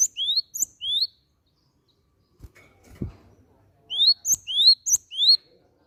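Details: Upslurred, whistled high notes of a cinereous tit, or gelatik batu, used as a lure to prompt other birds to sing. They come in two groups, two or three rising notes each, with a quiet stretch and a single low knock between.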